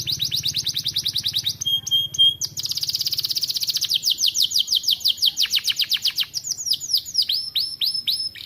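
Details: Young aviary canary finding its voice: quick high trills, a brief flat whistled note, a very rapid buzzing roll, then rhythmic descending chirps repeated in steady series.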